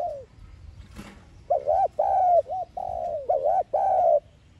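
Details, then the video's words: Decoy cooing of a spotted dove, thúc gù style, meant to make kept doves start calling. A sharp click comes first, then a run of about six hollow, arched coo notes with a long drawn middle note. "Tiếng Cu Gáy Mồi Chuẩn THÚC GÙ"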